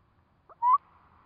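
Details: Eurasian curlew at a breeding site with four newly hatched chicks gives a single brief call: a short falling note, then a mellow, slightly rising whistle. The background is otherwise quiet.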